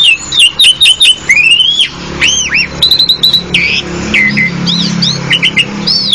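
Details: Asian pied starling delivering quick downslurred whistles, then drawn-out arched whistled notes and level piping tones, interspersed with clicks; a faint low hum beneath.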